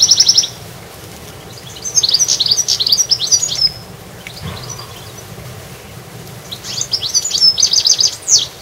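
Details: Garden goldfinch song: a brief twitter at the start, then a longer run of high, jingling, liquid notes, a pause, and another sparkling twittered phrase closing the recording over low steady background noise.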